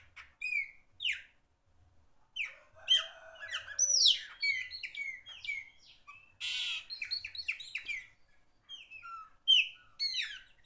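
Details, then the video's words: Pássaro preto singing loudly: a run of varied clear whistles, slurred upward and downward notes and short buzzy bursts, delivered in separate phrases with brief pauses between them. "Black bird song, beautiful bird song"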